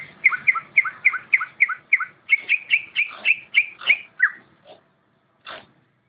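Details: Greater green leafbird in competition-quality song: a rapid series of about fifteen clear whistled notes near two kilohertz, slurred down and repeated several times a second, then a pause and two isolated sharp notes.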